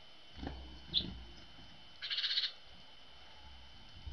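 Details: Tits arriving early at a feeder on a winter morning after a cold night: one sharp high chip, then a short buzzy burst of rapid high notes, with faint low rumbling and tapping underneath.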